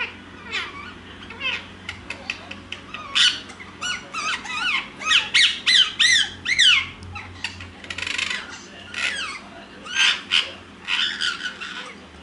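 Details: At nap time, caged ringneck parakeets keep chattering to each other indoors: a long stream of shrill, clicking squawks and bent, sweeping squeaks in dense, irregular bursts.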